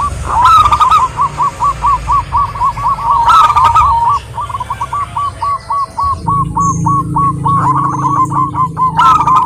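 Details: A female zebra dove calls a male with a long, even run of quick, clipped cooing notes. Short bursts of higher chirping break in now and then, over a low hum and a steady faint tone.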